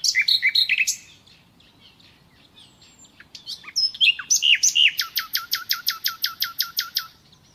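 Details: Nightingale song: a quick burst of high notes, a brief lull, then varied slurred whistles building into a long series of about fifteen repeated sharp notes, roughly two per second.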